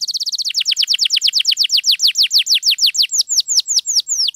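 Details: Canary in lively long song to trigger quiet canaries: a quick rattle opening into rapid, evenly repeated falling whistled sweeps, around seven per second, bright and high.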